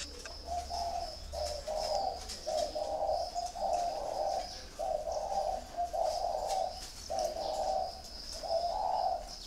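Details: Several caged spotted doves at a bird farm cooing in a steady series of low, soft, rolling phrases about once a second, over a background of insect or bird chatter and a continuous high hiss.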